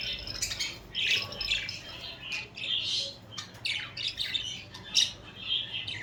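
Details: Chattering budgerigars kept as pets, cuddling and fighting; continuous scratchy warbling with overlapping chirps and brief sharp squawks, the loudest near the fifth second, quieter overall against a low background hum.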